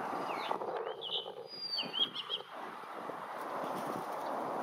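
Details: Blue rock thrush singing: two brief bursts of clear, warbling whistled notes early on, the second a quick run of looping trills, followed by a steady wash of broadband background noise with no further song.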